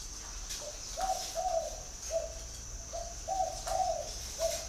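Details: Spotted dove calling: soft, low hooting coos in two phrases of about three notes each, the middle notes longer and slightly rising, with a steady high insect whine running underneath.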